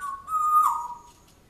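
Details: Pet African grey parrot indoors, a bird said to talk constantly about a dog from its previous home. A single clear whistled note, level then gently rising and falling, with a faint brighter overtone, lasting about a second.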